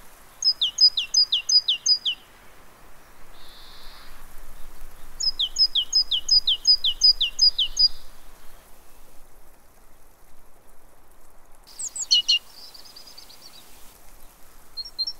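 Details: A Great tit calls at a fat-ball feeder in Pellerey, France, on 3 March 2017: two quick runs of about eight high, sharp, falling notes, then a brief jumbled chatter after a pause.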